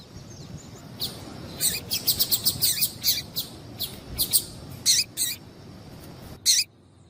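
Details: Female double-collared seedeater call for stimulating males to sing: a rapid chattering run of high, sharp chirps, easing into scattered paired notes and a final loud chirp.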